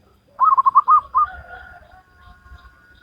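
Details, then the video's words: Local wild-type zebra dove singing on its perch in the gayer style with salendro rhythm: a quick burst of five or six bubbling cooing notes, then a longer drawn-out coo fading over the next second, with faint low rumbling behind. "Perkutut Lokal Alam Manggung Gayer Irama Salendro"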